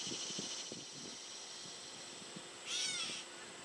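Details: A backyard gray catbird gives a single nasal, cat-like mew that arches and falls, directed at the person filming, over faint low chattering and soft background noise.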